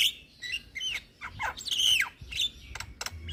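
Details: Head-bobbing Javan myna delivering full song, meant as a lure and therapy for moulting mynas: bright whistled slurs and warbling, with descending sweeps and a strong ringing note, mixed with crisp clicks.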